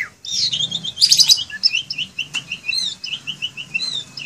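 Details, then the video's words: Asian pied starling singing in a cage: a loud burst of harsh chattering notes followed by a fast even series of short bright chirps repeated about five per second. "Jalak Suren Gacor Dalam Sangkar"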